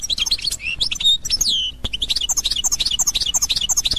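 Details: European goldfinch singing in the authentic Constantine (qsantini) style: rapid high twittering notes, sharp chirps and downward-sliding whistles, with one longer drawn-out whistle near the middle and a brief click.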